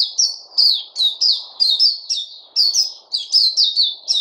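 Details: Continuous bright chirping of a white-eye (puteh), 29 August 2020: crisp high notes, each sliding downward, repeated several times a second in a lively, uneven rhythm, over faint low background noise.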